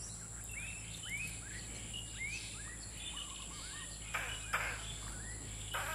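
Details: Malaysian pied fantail, a very active bird, at Baan Maka Nature Lodge, Thailand, 29 October 2022: a run of short, arched whistled notes, rising then falling, with a few sharp clicks and a steady high insect drone behind.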